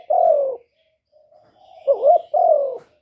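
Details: Lure spotted dove calling to attract wild doves for trapping. A long falling coo ends one phrase, then after a soft hum comes a rising, wavering double note and another drawn-out descending coo.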